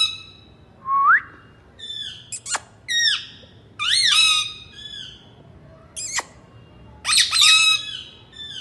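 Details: Pet rose-ringed parakeet giving loud harsh screeches and rising squawks in short bursts, with sharp clicks and pauses between them.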